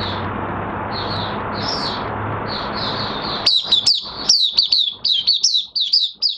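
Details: Caged Oriental white-eye in minor moult, 3 June 2022. A broad whooshing noise stops abruptly, then a lively string of high, clipped, downslurred chirps follows at a quick uneven pace.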